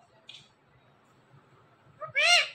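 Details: Pet parrot saying a word like 'Kim' after a short pause. A brief faint click comes first, then one loud, rich, arched syllable with stacked overtones. Little other sound is heard.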